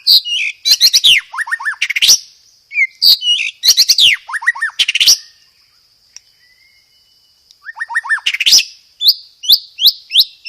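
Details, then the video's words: Loud, clear white-rumped shama song featuring sparrow-fight mimicry and dominant rapid rolls. Repeated bursts of cascading downslurred trills and sharp chips, a quiet gap, then a rapid series of rising whistled slurs; steady high tone throughout. "PANCINGAN SUARA BURUNG MURAI BATU isian gereja tarung, full materi roll tembak"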